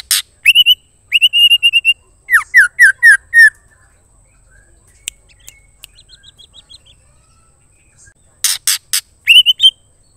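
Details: Female White-rumped shama calling for a male: clear, high whistled notes and quick downslurred chips in bursts, with a quiet pause midway before sharp calls resume.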